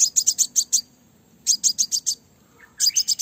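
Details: Crimson sunbird female, a lure call to stir up males: three rapid runs of about five or six piercing high chirps, evenly spaced within each run, separated by brief pauses.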